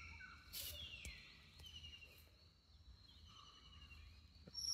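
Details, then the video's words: Malabar whistling thrush at Parambikulam Tiger Reserve, Kerala, in the Western Ghats, giving thin, wandering whistles, one sliding downward and another lower and steadier, over a soft background hiss. "The call of the Malabar Whistling Thrush"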